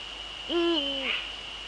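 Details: One loud, deep hoot from a male Eurasian eagle-owl in the Netherlands, 30 January 2013, 18:00, rising sharply, holding steady, then sliding down; a thin high tone persists behind it.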